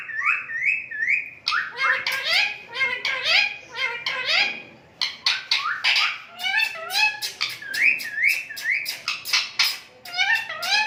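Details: Indian ringneck parakeet talking, imitating human speech in Urdu and Hindi: a string of squeaky, rising and falling speech-like syllables and whistled notes in short phrases, indoors.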